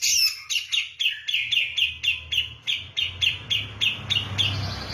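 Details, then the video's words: Grey-cheeked bulbul of the Javan type singing persistently in 'kapas tembak' style: a steady series of sharp, downslurred whistled notes, about four per second, over a low rumbling background noise. "cucak jenggot jawa gacor ngotot seperti kapas tembak"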